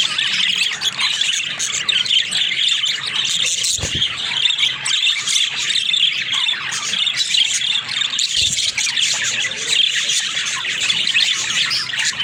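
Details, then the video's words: Domestic budgerigars in a group keep up a long stream of high, scratchy warbling and squealing chatter, steady throughout, with two brief low thumps partway through. "Funny Talking Budgies"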